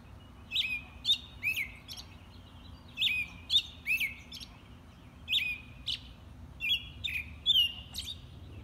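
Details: An American robin sings in groups of two or three quick, sweet whistled phrases, each dropping in pitch, with pauses of about a second between groups and soft low background noise throughout.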